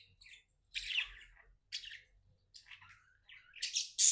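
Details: Happy pet budgie making scattered high chirps and squeaks with pauses, ending in a loud shrill burst.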